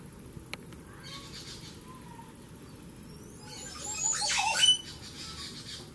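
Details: A Montezuma oropendola (Psarocolius montezuma) calling at Poás, Alajuela, Costa Rica: a liquid, gurgling burst with bright whistled notes that plunges downward near the end, over a steady low background hum.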